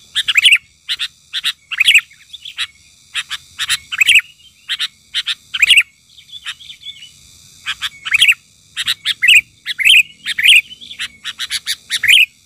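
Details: Raging Sooty-headed Bulbul decoy bird calling to provoke wild bulbuls: bursts of harsh, rasping chirps in irregular runs, with a brief pause midway before the chatter resumes.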